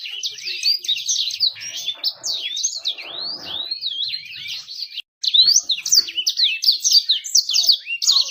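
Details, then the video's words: Bird song used as a lure to make a bird sing fast and to attract females. Loud, rapid, high whistled trills and warbled phrases run almost continuously, with a brief break near the middle. "PANCINGAN BURUNG CEPAT GACOR DAN MENARIK BETINA"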